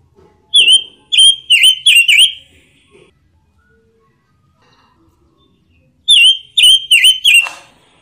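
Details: Red-billed leiothrix, known in Indonesia as pancawarna, giving two bursts of four or five ringing, down-and-up whistled notes separated by several seconds of near silence.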